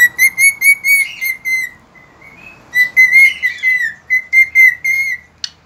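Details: Dawn song of a cockatiel, 3 September 2019: a rapid series of short, clipped whistles, then longer sliding whistled phrases, ending with a sharp click-like note.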